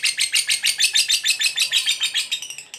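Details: Vocal fighter lovebird in its ngekek trill, used to provoke other lovebirds: rhythmic, rasping pulses about five per second, steady then quickening and fading near the end.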